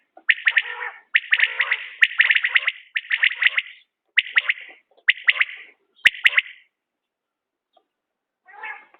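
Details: Rapid, evenly spaced bursts of crisp, ringing notes from a common quail, about one cluster per second, with a loud click mid-way and a quieter call at the close.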